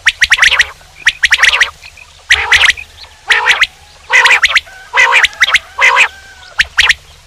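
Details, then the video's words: Male common quail calling loudly: tight groups of sharp clicky notes alternating with harsh, nasal, harmonic bursts, repeated about once a second. "quail sound male/quail sounds calls/male quail bird sound"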